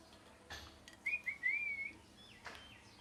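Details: Parrot, described as natural, giving a loud chirping call: a single whistled note of about a second that wavers and steps slightly upward, with faint clicks and soft background noise around it.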